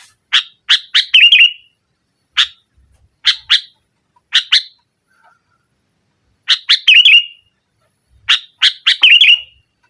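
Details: Sooty-headed bulbul singing hard in nggaruda style as a lure for mute rivals. Phrases of quick chirps end in gurgling warbles, with paired chirps between, repeated several times.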